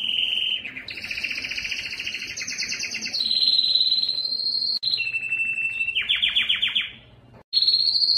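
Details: Belgian canary performing its loudest breeding song for females: a long run of buzzy rapid trills at shifting pitches, sustained whistled tours, a steep descending rattle, a brief near-silent break, and a resumed high whistle.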